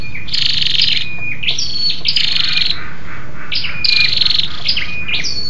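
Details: Calls of a female scarlet-backed flowerpecker used to stimulate males: a continuous run of high, thin, tinny chips and short slurred whistles, some notes stepping down, delivered rapidly and fairly evenly throughout.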